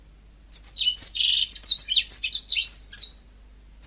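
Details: ['Yellow-fronted canary song: a quick run of high, thin chirps and twittering trills, mixing short rising and falling whistled notes for about two and a half seconds before stopping, in a quiet background.']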